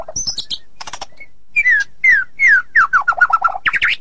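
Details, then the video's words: White-rumped shama delivering ngeplong and ngeroll song: high chattery notes, then loud clear whistles sliding downward, several in a row, ending in a fast rolling sequence and a buzzy flourish. "Murai ngeplong dan ngeroll super rapet"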